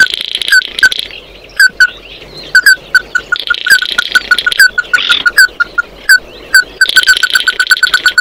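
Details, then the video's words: An Oriental white-eye sings to gather its flock. Scattered clear notes build into quick runs, with intermittent high, rasping twitter laid over them. "Tiếng kêu của chim Tí Hỉ, Chim Mắt Đỏ hót gọi bầy"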